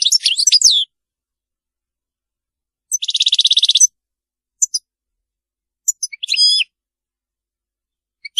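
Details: European goldfinch, Maliki song style, sung without mistakes: a twittering burst, a long buzzy rattle, then scattered short chips and a brief ringing trill, separated by silent gaps.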